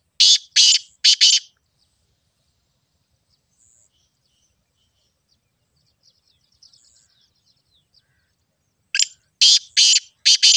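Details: Black francolin calling: a series of three harsh rasping bursts, then a long near-silent stretch with faint distant chirps, then another rapid run of three to four grating bursts.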